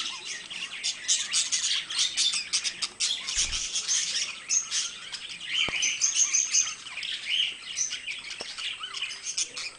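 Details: Two pet budgerigars, also called parakeets, chattering in a steady stream of high, scratchy warbles and short chirps, with sharp clicks and tones mixed in and a few brief squawks.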